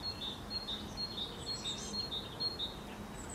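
A common linnet gives short, high chirping notes, about two per second, over a steady background hiss.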